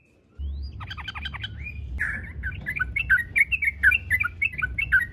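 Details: Yellow-vented bulbul in gacor tarung garuda song used to draw out other bulbuls: a rattling trill opens, then a run of lively repeated chattering phrases over a low hum.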